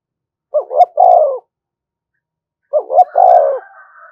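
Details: Spotted dove calling to provoke rival doves: two phrases, each a quick double coo followed by a longer mellow descending coo, about two seconds apart, with a faint higher whistle after the second phrase.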